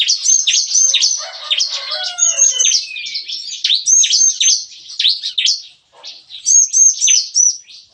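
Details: Morning song of caged bar-winged prinias at a breeding aviary, a lively "nembak-nembak" style likened to gunfire. High notes stutter in rapid, machine-gun-like runs with short thin whistles, broken by a brief gap near the end.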